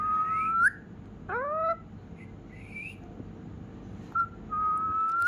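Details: A rescued ringneck parrot, kept as a pet indoors, answers its owner with cat-like meows: long flat whistles rising at their ends alternate with a buzzy, harmonic mew that slides upward.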